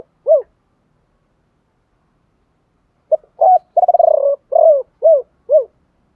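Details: Decoy spotted dove cooing in the three-tail calling style, 'thổ pha' voice, meant to excite other doves: a lone arched note, a long pause, then a quick stuttered trill and three separate downslurred closing coos.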